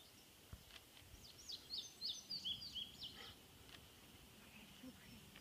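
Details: Indigo bunting song recorded at Harriman, 5/9/15: a short burst of high, thin paired notes lasting about two seconds, somewhat distant, set against a steady background hiss with faint low rumble.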